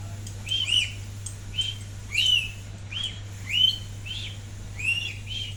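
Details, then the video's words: A wild lorikeet gives short, shrill chirps and squeaky whistles, one burst roughly every one to one and a half seconds, over a steady low hum. "Best talking Parrot lorikeet / Wild Lorikeet talks"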